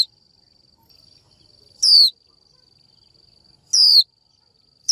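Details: Female Japanese white-eye calling a male: bright, downward-sweeping 'chiu' notes roughly every two seconds, three heard, over a steady faint high-pitched tone.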